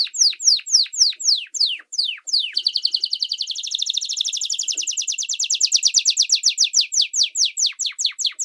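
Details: Canary song for training young and adult common and Belgian canaries: spaced downslurred whistles, then a long rapid buzzy trill that slowly loosens back into distinct descending notes.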